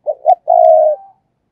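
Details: Decoy spotted dove cooing to call: two quick clipped coos, then one drawn-out vibrating note that trails off softly. It is loud and near, with nothing else audible.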